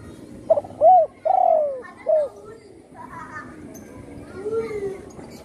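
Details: Spotted dove, a once-wounded bird whose wing was broken by a shot, now living at home and in full song. It gives one clear coo phrase: a stutter, an arched note, a long descending coo, a short coo, then quieter background sounds.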